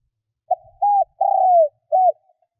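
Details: Spotted dove used as a decoy to attract wild birds: one low phrase of a faint opening note, an arched coo, a long smooth croo dropping in pitch, and a short final coo, otherwise silent.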